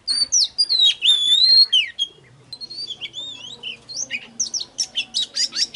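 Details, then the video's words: Oriental magpie-robin song for luring and triggering singing: long sweet whistled slurs, a short pause, then softer varied notes building into a fast series of sharp chirps. "Chòe than Hót || Kích HÓT CỰC XUNG || Tiếng than MỒI GỌI BỔI"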